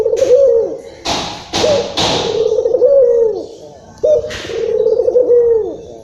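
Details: Local Indonesian Barbary dove, described as agitated, its call used to lure and stimulate other doves; three low, rolling coos about two seconds apart, each with a brief rising start and falling end, plus several sharp taps.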